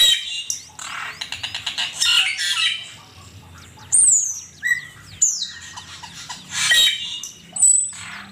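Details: Asian pied starling (cucak keling) song used as a master recording for training songbirds: harsh scratchy chattering notes and squawks mixed with sharp high whistles and downward slurs, delivered in irregular bursts with short pauses.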